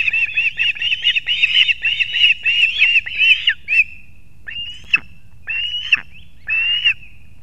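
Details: Osprey nest in Latvia's Kurzeme region, 3 September 2024 at 6:40 am, with the male arriving with two fish for the chicks: fast chattering whistled chirps for three seconds, then single longer slurred cries spaced about a second apart.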